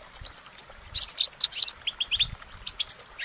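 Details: Goldfinch in nature singing short sequences of clear, high chirps and brief twittery notes, spaced unevenly, with a quiet hiss in the background.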